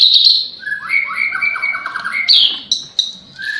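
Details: White-rumped shama song imitating a lovebird: loud, clean phrases with high squeaky notes and a run of stepped, descending whistles in the middle, with no other sounds.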